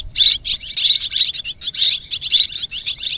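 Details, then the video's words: Swiftlet calls in a mixed recording, quick clusters of high, bright, clicking chirps repeated several times a second with short pauses between bursts. "ສຽງນົກແອ່ນ ຮ້ອງປະສົມ Tiếng én, Tiếng Chim Énเสืยงนกแอ่น"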